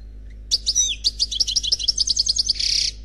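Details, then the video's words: European goldfinch, unpaired single bird, singing in the Khalwi style: a fast, bright twittering run of high chirps and trills that ends in a dense buzzy burst, over a steady low hum. "Chant Chardonneret Khalwi Célebataire"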